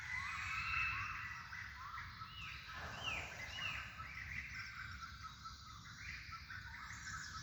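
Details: Birds chirping in a natural setting: several quick rising whistled notes stand out amid a continuous chatter of high twittering, with low background noise throughout.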